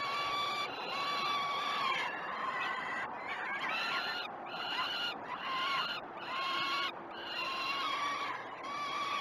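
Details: Peregrine falcon chicks begging at the Great Spirit Bluff nest during a feeding, 12 June 2018, captured by a live camera: rough, rising and falling screeches in bursts over steady background hiss.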